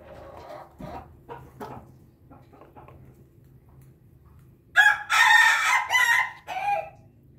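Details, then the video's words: Bangkok chicken crows after taking a drink. Scattered quiet clucks and low background noise are followed by a loud, rasping crow broken into three harsh segments over about two seconds. "ayam babon bangkok ketawa berkokok"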